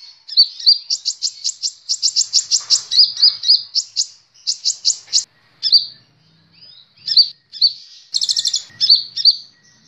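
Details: A sunbird (Kolibri Ninja) sings a rapid, high-pitched string of sharp chips and buzzy trills in quick bursts with brief pauses, used as a master recording to prompt other birds to sing.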